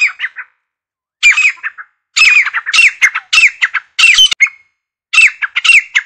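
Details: Grey francolin, or grey teetar: bursts of harsh, raspy, squawking notes in short rhythmic phrases separated by brief silences, each burst ringing with bright, slurred tones.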